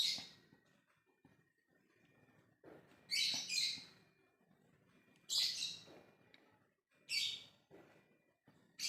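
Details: Lovebird giving ngekek calling to others: loud harsh, shrill chattering bursts, each about half a second, coming in irregular pairs and groups over several seconds, with faint low room noise between.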